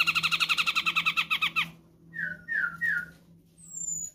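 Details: Cucak jenggot, the grey-cheeked bulbul from Sumatra, as tutoring and trigger song: a rapid buzzy trill of rolling notes, then three slurred downward whistles and a thin high rising whistle, with a low hum.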